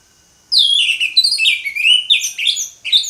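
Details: Orange-headed thrush delivering loud 'ngeplong' song: rapid, tumbling whistled phrases with downward slurs and chattering notes, packed densely for over two seconds without pause.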